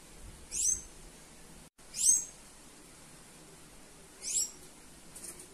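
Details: A female Sayaca tanager calling gives three thin, high, squeaky notes, spaced about two seconds apart, over faint background hiss.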